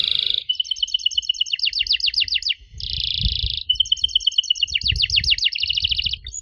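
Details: Canary lure song for coaxing young canaries to sing back. A buzzy trill leads into pulsed rows of notes that speed into fast downward sweeps, repeated twice over faint low background rumble.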